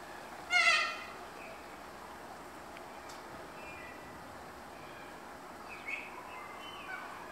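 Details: Magpie goose during the seasonal influx into Darwin as the dry season ends, drawn to irrigated green areas. One loud, harmonic-rich honk near the start. Fainter scattered calls follow against a quiet hiss.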